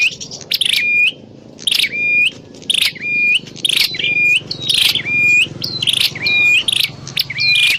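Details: Grey prinia, in Javanese prenjak klawu, calling as a trapping lure: harsh buzzy bursts, each followed by a steady high whistle that kinks upward at its end, repeated about once a second.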